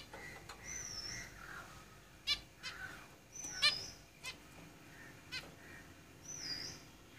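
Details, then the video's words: Zebra finches in a cage: thin, wavering high whistles alternate with sharp nasal honks and low buzzy chatter at an uneven pace. "Zebra Finches Singing in the cage"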